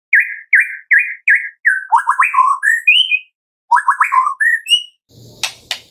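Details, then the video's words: Shama lure song, white-rumped shama, for prompting captive birds to sing from morning to afternoon. Five evenly spaced whistled notes open it, then fast tumbling warbles and rising whistles, ending with harsh rasping bursts. "Pancingan Murai Batu Pagi - Sore Hari 99,8% AMPUH buat pancingan murai batu pastol agar bunyi"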